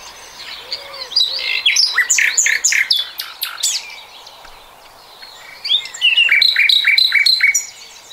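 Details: Nightingale, 2020, singing a phrase of loud stacked chirps, pausing with soft background sounds, then a rapid repeated series of bright ringing notes.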